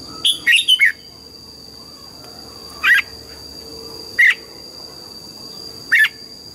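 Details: Red-whiskered bulbul, an old wild-caught bird, sings in the morning during voice training with the double-note song style (âm kép): a quick cluster of bright whistled notes, then single sharp phrases spaced a few seconds apart over a steady high hum.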